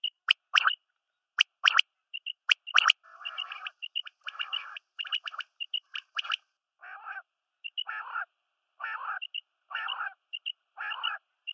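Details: Male and female quail calling together: a run of sharp clicking notes, then repeated harsh buzzy rattles roughly every second alongside brief higher chirps, against a silent background.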